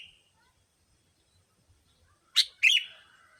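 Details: Lure sound for catching the attention of sooty-headed bulbuls: a single loud, rasping double burst after a quiet stretch, the second note trailing off buzzily.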